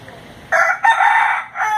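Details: Domestic rooster crowing as a morning alarm clock: after a quiet start, a loud, harsh, strained crow breaks into two linked rising-and-falling segments, then a third burst begins near the end.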